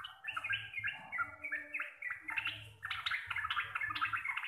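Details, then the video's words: Local Javanese sooty-headed bulbul singing a long 'gacor' ropel-style song, described as deep, clear and loud; a continuous chatter of bubbling, warbled phrases rising and falling, with short bright notes packed closely together and faint low background hum. "TRUCUKAN GACOR RECEH DURASI PANJANG"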